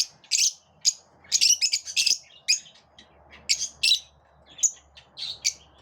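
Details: Group of lovebirds living together and repelling one another, giving shrill, sharp chirps in short clustered bursts, roughly a dozen outbursts in six seconds with brief quiet gaps between them.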